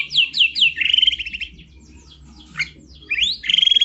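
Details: White-rumped shama singing: loud whistled notes sliding downward, a fast trilled run, a pause, then a rising whistle into another rapid trill.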